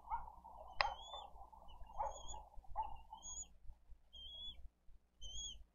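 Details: Bald eagle chick at a wild nest on a live nest camera in Dade County, 20 April 2023, begging for food. Thin, high whistled peeps, slightly rising then falling, repeat about every second, over lower rough bursts and steady background rumble.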